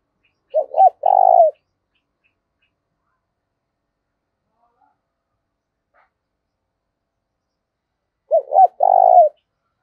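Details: Spotted dove giving its fight-provoking decoy call: two identical phrases roughly eight seconds apart, each a pair of short hooked notes then a longer purring coo, with a few faint clicks in between.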